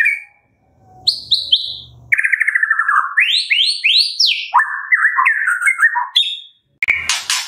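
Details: White-rumped shama singing, a recording meant to prompt captive shamas to sing: an opening whistle, high slurred notes, a rapid descending trill, then rising whistles and warbling phrases ending in a rough buzz.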